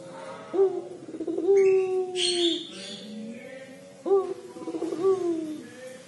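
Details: Collared dove, puter pelung type, crying call: two long throaty coos, each opening with a stuttering onset and then dragging out flat, with a rough noisy burst between them.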